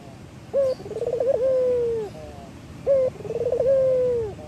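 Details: A male local Barbary dove, used to stimulate other doves to call, gives two rolling coos about two seconds apart, each a short note, a quavering roll, then a long drawn-out coo.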